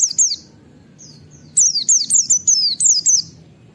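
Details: Wild-style white-eye 'ngalas nembak wit wit' call, used to provoke other white-eyes into calling with open beaks: a single high, sharply descending whistled note, a pause, then a rapid run of about seven similar falling whistles.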